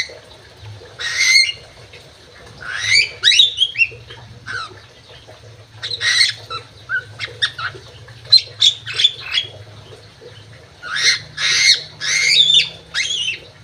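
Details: Aviary-kept crewet giving bursts of harsh, rasping, high squawks, often in clusters of three or four sharp notes, spaced every one to two seconds with brief pauses, over a faint low hum.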